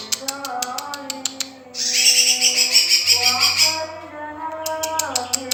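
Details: Young male lesser green leafbird giving a two-second stream of shrill, rapid, trilled notes, set between series of sharp regular ticks, with a low steady hum in the background.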